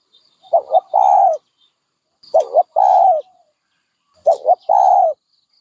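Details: Three identical dove phrases about two seconds apart, each a quick double coo followed by one long, smooth, slightly falling coo.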